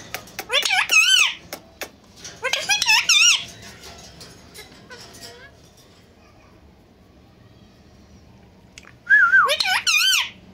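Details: Pair of pet Indian ringneck parakeets chattering face to face in Urdu and Hindi: three bursts of high, wobbling, harmonic speech-like phrases separated by long quiet stretches with faint background hum.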